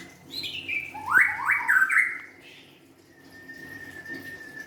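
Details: White-rumped shama song: a burst of rich, slurred whistled phrases sweeping down and up, then one long, steady, thin whistled note held for nearly two seconds.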